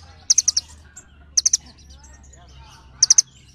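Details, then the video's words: Little birds call to one another in short volleys of thin, high chirps: four notes, then three, then three more, roughly every one and a half seconds. "សំឡេងសត្វចាបកន្លង់ | The sound of birds | Little birds call each other"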